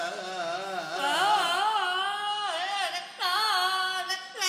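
Melodic singing with instrumental accompaniment, sliding and wavering tones throughout, and no animal calls.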